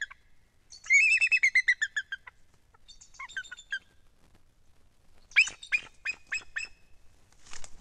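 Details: Bald eagle at its treetop nest beside Kincaid Lake, central Louisiana, in December: a run of about ten shrill, falling piping notes, a shorter burst of chatter, then louder sharp staccato notes.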